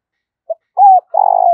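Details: Lure spotted dove calling to attract rivals: a short clipped note, a level coo, then the start of a rough rolling trilled coo cut off at the end.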